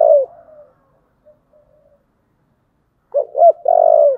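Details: Spotted dove, "giọng thổ" style, cooing to provoke fighting or competition. A phrase ending fades out at the start, with scattered soft notes after it. Then comes a full phrase: two quick bouncing notes and a long, steady, slightly falling coo.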